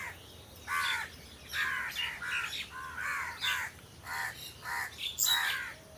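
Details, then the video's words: Crows among trees giving loud, raspy caws in uneven bursts, some short and clipped, others drawn out and scratchy, with brief pauses between groups. "Crow Sound Crow Ki Awaj"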